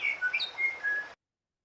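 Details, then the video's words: A New Zealand bellbird, a honeyeater, sings a quick phrase of five or six clear, ringing, bell-like notes that hop up and down in pitch, lasting about a second. "Here I've got an example from one of my favorite species of honeyeater, the New Zealand bellbird, which sounds like this."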